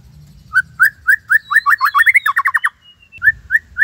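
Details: White-rumped shama giving a Cililin-style tembakan song, used as a master recording to enrich other shamas' repertoires: rising whistled notes that speed into a rapid stuttering burst, a pause, then more single upslurred whistles, over a faint low hum.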